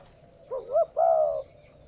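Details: Coo of a spotted dove, used to spur captive doves into cooing: one phrase with a short wavy rising-and-falling note, a brief gap, then a sustained mellow coo that tapers off.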